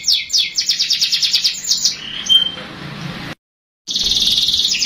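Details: Young canary song used as a lure to get young canaries singing quickly: rapid repeated downslurred whistles, then a brief warble and a short silence, then a dense trilled roll.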